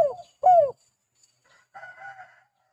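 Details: Spotted dove calling in a lively style used as a lure recording for catching doves: two short, loud, falling hoarse coos in quick succession, then a softer, buzzier murmur after a pause.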